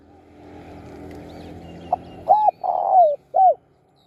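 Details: Spotted dove serving as a decoy for luring wild birds calls three rich, rounded coos, the middle one longest, after a faint hum fades away.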